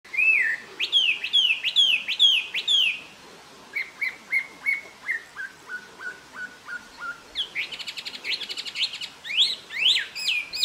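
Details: Taiwan hwamei recorded in Jianshi Township, Hsinchu, Taiwan, April 2024: loud whistled notes sliding up then down, repeated about five times, then a string of shorter descending notes, ending in rapid bright chattering phrases.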